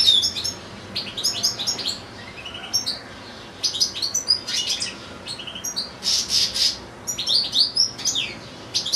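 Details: Caged European goldfinches kept with two young goldfinch-canary hybrids, one goldfinch singing at length: rapid twittering song of bright, high chirps and buzzy trills in quick bursts, with brief pauses between phrases.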